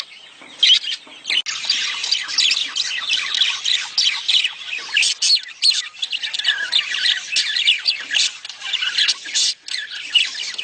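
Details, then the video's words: Budgerigars giving mating calls meant to prompt a female to lay eggs fast: a continuous, busy warble of high chirps, squeaks and scratchy squawks, many overlapping notes without pause. "خلي انثي البادجي تبيض بسرعه.اصوات التزاوج للتحفيز"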